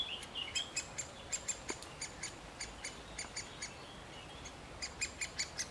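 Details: A male great spotted woodpecker calls while feeding its chick, giving quick, hard, clipped notes in an uneven series, a couple each second, with a brief faint whistle early on.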